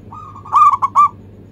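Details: Local zebra dove song used as a lure to get other birds singing: a soft drawn-out lead-in coo, then three clipped, resonant hooting notes in quick succession, ending abruptly against faint background hum.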